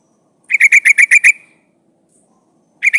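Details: Female sooty-headed bulbul in breeding condition calls to attract a male: a fast, even series of seven bright, bubbly notes, then a pause and the start of another burst.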